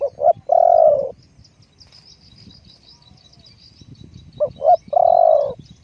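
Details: Spotted dove decoy bird repeating its phrase twice: two short upward notes and a long, falling husky croo, with faint thin chirping of other birds in the background.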